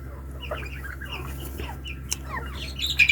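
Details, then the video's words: Hand-tame partridges giving a series of short, descending, chirping calls at mid to high pitch, overlapping loosely, with a steady low hum underneath. "Teetar ki awaz"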